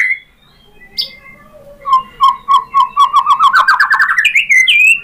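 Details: White-rumped shama (murai batu) singing a lure song with mimicked material, meant to set other shamas answering. A soft note, then a fast rising trill of repeated notes that speeds up and ends in high whistles.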